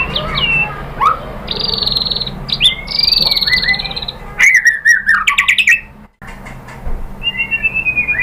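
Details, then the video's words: White-rumped shama song meant to get captive birds singing: long bright whistles and quick upward slurs, a burst of harsh chattering notes, then a fast trill of repeated short notes, with a brief silent gap. "KICAUAN MURAI BATU merangsang BUNYI jadi NYAUT GACOR NGEPLONG BONGKAR ISIAN | PANCINGAN MURAI"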